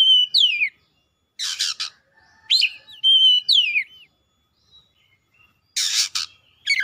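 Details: Captive white-rumped shama singing energetically, warmed up and agitated: varied high whistled phrases with downward-sweeping notes, sharp rising slurs and harsh buzzy bursts, separated by short pauses.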